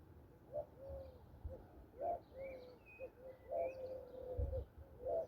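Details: Spring morning in Southern Spain's Andalusia with mourning doves giving low, mellow coos in irregular groups of brief and lengthened notes, while distant songbirds add faint high chirps above.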